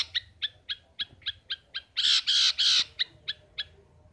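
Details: Caged pet long-tailed shrike giving evenly spaced high chirps about every quarter second, broken in the middle by three loud, harsh, grating bursts before the chirps resume.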